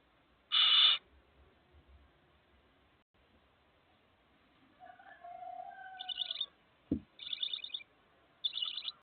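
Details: One loud, short harsh hiss from barn owl chicks (four in the brood), then quiet, a few faint tonal sounds and a thump, followed by three shorter pulsed rasping hisses.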